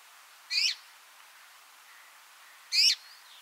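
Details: Two sharp, bright calls of a Red-mantled Rosefinch about two seconds apart, each a brief harmonic chirp sliding slightly downward, with faint soft background chirps between them.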